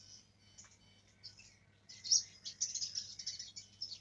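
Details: Soft, thin warbling from a young black-throated canary learning its rolling song swells into a louder, dense stretch of rapid high twitters and chirps after a quiet start.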